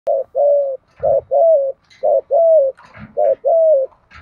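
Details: Spotted dove calling, used to provoke rival doves: loud low hollow coos around a steady pitch in paired short-then-long phrases, each pair repeated about every second, with faint rustling between phrases.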